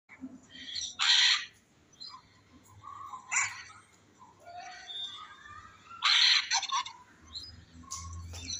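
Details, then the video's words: Macaws give two loud, harsh, broadband squawks about five seconds apart, with softer raspy chatter and squeaks between them. "Macaw Parrots are making noise"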